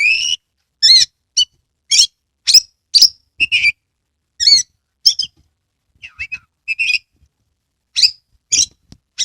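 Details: Caged Oriental magpie-robin singing a lively song meant to spur other birds into full song with tail spread; crisp whistled slurs and rising sweeps, separate phrases about every half second, clean background.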